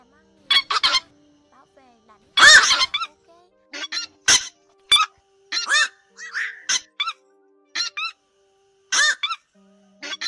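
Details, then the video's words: Black-crowned night heron flock call with a biting call, used as a two-speaker lure for night net trapping during the August 2024 migration season; harsh, broadband squawks in irregular bursts, some with rising tonal notes, plus a few louder rasping bursts. "Tiếng Vạc Gọi Bầy Kêu Cắn Toát Ra 2 Vế"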